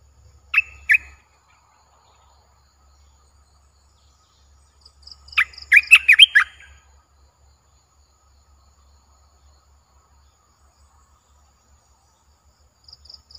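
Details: Recorded 29 June 2021 in a keeper's camp, a caged olive-winged bulbul gives a brief double chirp, then a dense bubbling phrase, over a low steady hum and sparse high ticks.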